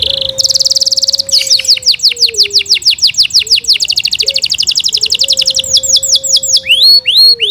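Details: Yorkshire canary singing a fast rolling trill that breaks into rapid downward-sweeping notes, then rising chirps; a faint low steady whistle runs underneath.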